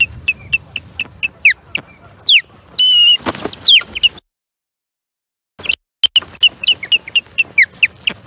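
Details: Osprey at the Charlo Osprey Nest on 21 April 2022, skirmishing with an intruding third osprey: rapid series of sharp, descending whistled chirps, some doubled, a harsh rasping burst midway, then brief silence before the chirping resumes.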